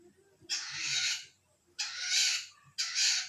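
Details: Long-tailed shrike in full voice: three long, harsh, rasping screeches, each lasting under a second, separated by short pauses.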